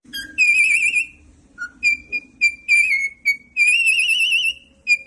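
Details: A pet cockatiel sings indoors: clear, bright whistled notes, some held and quavering, others short and clipped. They include a lower dipping note near the middle and end in a long warbling phrase, with quiet room noise beneath.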